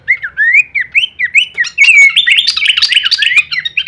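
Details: Songbird training audio of Horsfield's babbler, kleperan style with full variation: a string of clear upslurred whistles repeated about every quarter second, then a denser mix of whistles and sharp chips.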